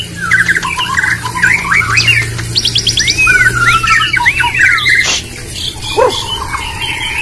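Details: White-rumped shama in a singing contest delivering a mix of quick whistles, a brisk high trill and looping arched notes, backed by a steady low hum.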